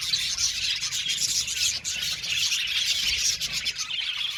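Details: Aviary colony of budgies producing unbroken high-pitched chirping and chattering, many birds calling at once so the notes blur into a steady, busy twitter with scattered sharp squeaks.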